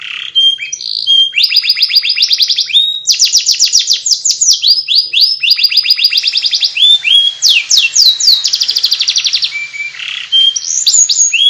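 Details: Ngriwik canary song, rapid strings of short descending chirps forming tight trills, interspersed with whistled slides and sharp high ticks, sung without break.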